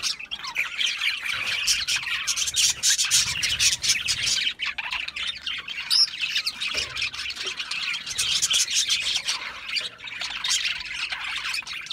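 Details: Budgerigars keep up a long stretch of raspy squawks and twittering, a brief sharp whistle near the middle, with the chorus thinning and swelling in waves.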